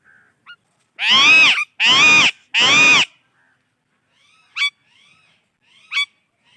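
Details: Indian ringneck parakeet, recorded alongside an alexandrine parrot: three loud, harsh, harmonic screeches of about half a second each in quick succession, then a pause and two short, sharp upward chirps, with faint softer notes between.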